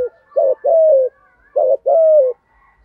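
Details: Spotted dove used as a decoy bird, cooing in the 'giọng thổ' voice style ('thúc gù'). Two matching phrases, each a brief hoot followed by a drawn-out falling coo, separated by a short gap.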